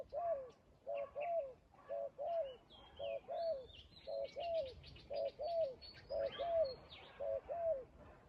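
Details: Spotted dove at a trap calling in a regular rhythm, each phrase a short coo followed by a longer slurred coo, about once every second and a half; chirping of other birds rises in the background.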